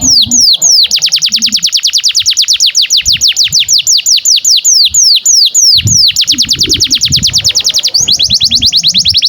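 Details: Domestic canary singing a long, vigorous tutor song for young canaries and silent birds: a fast roll of sharp downward-sweeping notes repeated about three times a second, with a brief pause and restart near the end.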